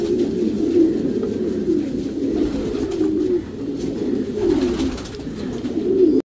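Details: Racing Homer pigeons kept in a breeding section utter throaty, wavering coos in a near-continuous chain, dropping briefly quieter midway before resuming.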